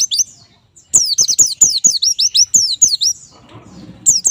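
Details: White-eye (pleci) song played as therapy so kept birds start singing readily: quick bursts of high, thin, sharply down-slurred whistled notes, about eight in a row, with short pauses and faint clicks underneath.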